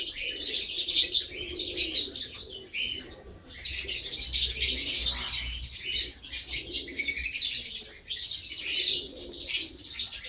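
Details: Lovebird in rapid high squeaky chatter delivered in several bursts separated by short quiet gaps.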